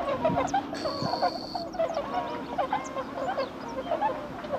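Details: Wild swans landing on water on 5 March 2016, in the season when they migrate back north. Several birds overlap in a steady chorus of loud, honking, bugling calls.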